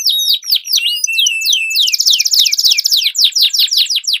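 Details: Canary song duel used as a lure for training competition birds. Downward-sweeping whistled notes give way to a long rapid trilled roll, with sharp high chips above.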